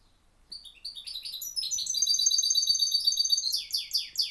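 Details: Goldfinch hybrid in song: spaced high chirps build into a dense, rolling twitter with buzzy and whistled elements, ending in a run of loud repeated sweeping notes.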